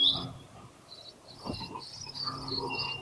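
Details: Willie wagtail chicks about 12 days old, now actively begging for food in the nest, give thin, high, squeaky begging notes in short repeated bursts, fairly faint, with a brief rustling thump midway; 24 October 2020.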